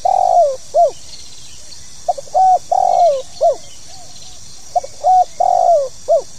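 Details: Spotted dove (tekukur) calling in the 'pokal tanggung' style, used to make new birds perform: three cooing phrases of low hoarse coos, a long slurred note and a final rising-falling coo, separated by short pauses, over a steady high hiss.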